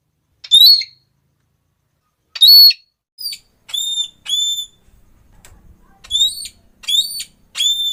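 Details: Red-cheeked parrot (Nuri Pipi Merah), a call said to set other parrots calling noisily: loud, shrill, whistled 'klee' notes, single or in quick pairs, about eight in all with short silent gaps and faint low rumbling between.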